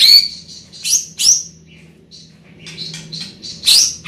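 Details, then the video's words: Large-bodied greater green leafbird with a loud, carrying voice: scattered sharp chirps and quick high sweeping notes in short bursts, with quiet gaps between them and a steady low hum underneath. "Burung Cucak Ijo Body Besar Suara Tembus Joooos"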